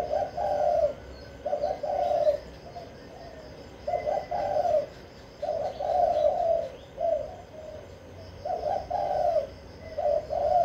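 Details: Spotted dove in Vĩnh Long performing its kích bổi song to lure wild doves into answering: clear coo phrases repeated roughly every two seconds, each a soft rolling burst followed by silence.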